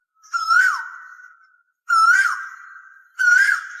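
Asian koel giving three loud, mellow whistled calls about every 1.4 seconds, each swelling upward then dropping away, with a faint echo trailing after each.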